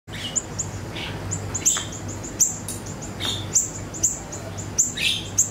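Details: Ashy tailorbird (siri-siri) song used as a lure recording to draw replies from songbirds: sharp, very high chirps and clicks repeated about once a second, over a steady low hum and a faint, evenly pulsing high tone.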